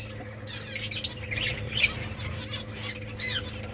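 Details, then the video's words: Finches at a rice feed make quick high squeaky chirps and a few short descending notes in rapid succession over a constant low mechanical hum. "Beautiful finches eating rice 🍚 birds chirping sounds"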